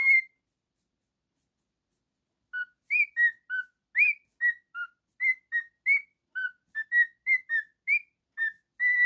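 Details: After one whistle and a two-second pause, a male pet cockatiel launches into a rapid run of about twenty short, bright whistled notes that hop up and down in pitch.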